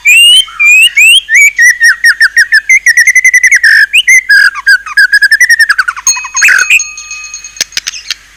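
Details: White-rumped shama delivering a fierce-sounding 'isian' fill song: a long run of quick, rising and falling whistled notes repeated several times a second, ending in harsher, buzzier notes and scattered clicks.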